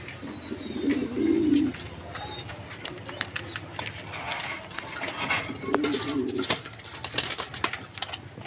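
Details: Jacobin pigeon with two deep, rolling coo phrases several seconds apart. Between them, high chirps and scattered clicks and knocks make up the background.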